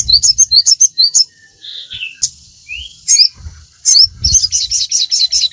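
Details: Crimson sunbird, recorded for training kept birds, sings quick high chirping notes, two downslurred whistles, and a closing run of rapid ticking notes, with faint thumps below.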